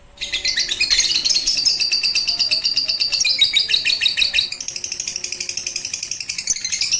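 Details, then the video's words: Lovebird on a roof during its first training with a master recording, 18 April 2021 (6 Ramadan 1442 H). A long, rolling, buzzy chatter of rapid high notes runs for several seconds, then becomes a quicker, softer pulsing. "Melatih Kicau Lovebird Batman Menggunakan Masteran di Atas Atap"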